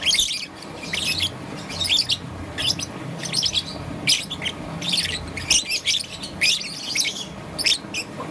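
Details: Green-and-yellow young peach-faced lovebird in the morning, producing bursts of shrill, rasping chirps in clusters every second or so, steady and lively, over a soft background hum.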